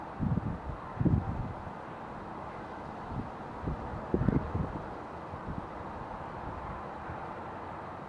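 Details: Outdoor wind and rumbling traffic-like noise with a few short low gusts and thumps, before rain; no animal voice heard.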